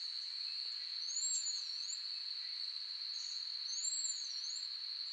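Azure-rumped Tanager giving two thin, very high, wavering whistled phrases about two and a half seconds apart, over a loud, steady insect drone.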